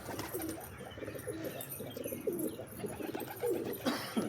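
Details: Soft, murmuring pigeon coos run through the recording as low, broken warbles, with a few brief upward inflections near the end over a quiet background.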